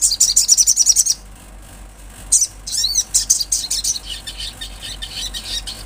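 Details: Olive-backed sunbird singing vigorously in the wild: a quick run of sharp, high, evenly spaced chirps, a brief pause, then several upward-sweeping notes and a looser series of bright twittering notes.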